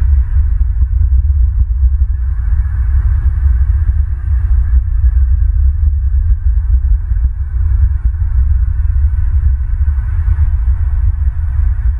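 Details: Steady low rumble and throbbing hum fill the recording, with no animal calls present.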